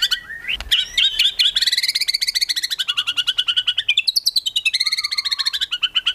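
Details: White-rumped shama song in the 'isian tembakan' fill style, used as training material for competition shamas: a long, rapid, unbroken rattle of sharp repeated notes, about eight per second, that shifts upward in pitch partway through and then steadies.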